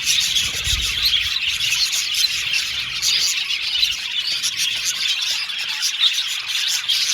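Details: Happy budgerigars twittering nonstop, a dense bright chorus of chirps and trills with rapid repeated chip notes, and a brief low thump early on.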